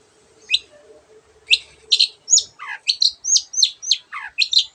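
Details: Long-tailed shrike song rich in borrowed sounds of other birds, used as a tutor recording: sharp high whistles and down-slurred notes in a quick sequence after a quiet start, with a faint low hum underneath.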